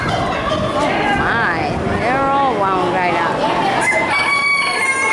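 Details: Roosters and hens inside a poultry barn: a rooster crows in two long arching phrases, with a rising then falling strained tone, while hens cluck steadily around it and barn noise fills the background.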